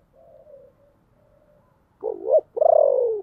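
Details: Decoy spotted dove with a deep, booming voice, calling to lure wild birds: faint low coos, then a wavering coo and a long, loud falling coo.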